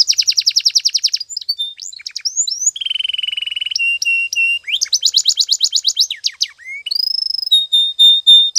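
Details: Canary singing a morning training song, made of rapid trilled tours: a fast rattling trill, brief slurred notes, a lower rolling trill, a mid-pitched repeated chip series, then steady high whistles.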